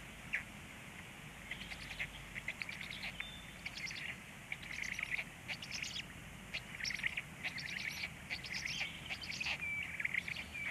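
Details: Black stork chicks begging while being fed, recorded at 19:13: bursts of scratchy, buzzy chattering notes repeated in uneven runs, with a faint steady whistle partway through and a soft outdoor background hum.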